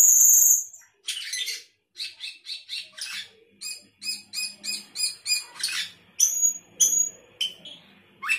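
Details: Sooty-headed bulbul delivering gacor isian song: a long high shrill note, then a fast string of chattering, stuttering chirps at a varied pace, ending in clear high whistled notes and a buzzy flourish.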